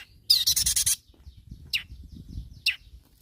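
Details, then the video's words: Long-tailed shrike in loud calling mood to provoke rivals: one long harsh buzzing chatter followed by two brief sharp downslurred notes, over a low rumbling background. "SUARA BURUNG CENDET GACOR MEMANGGIL LAWAN"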